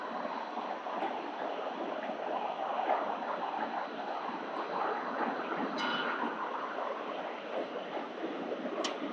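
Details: Steady broadband wind rumble with water-like hiss fills the recording, with a few faint clicks and no animal voice.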